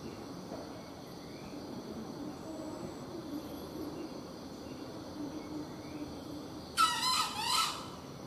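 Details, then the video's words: Hunted junglefowl giving a single rough, raspy crow near the end, lasting under a second with two pulses, after several seconds of steady insect hum and faint rural background noise. "Kluruk sangat lama"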